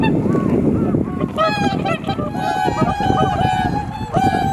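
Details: Swans on a Japanese pond at blue hour dawn: a steady, sustained nasal honk joined by overlapping trumpeting calls, with gusty wind noise underneath.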